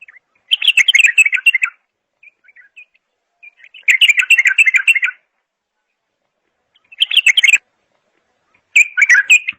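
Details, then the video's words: Bulbul song in four energetic bursts of fast, high chirping and warbling, a few faint soft notes drifting in the long quiet gaps between. "اجمل صوت بلبل"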